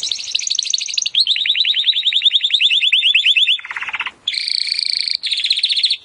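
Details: Timbrado canary in full song for training canaries to sing better: a long unbroken rapid trill, a lower rattling roll, then a sustained buzzy trill broken by short gaps.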